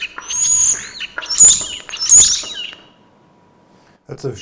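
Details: Short stretch of a single European starling's song, played in a lecture: three loud phrases of high thin whistles mixed with harsh buzzy and clicking notes, then a pause and a brief low fragment.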